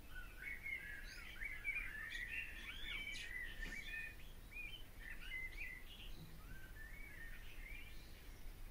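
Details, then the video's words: Barn swallow: continuous twittering warble of looping, slurred chirps, steady and fairly quiet, with low rumbling background noise throughout. "O canto da ANDORINHA-DAS-CHAMINÉS/BARN SWALLOW SONG (Hirundo rustica)"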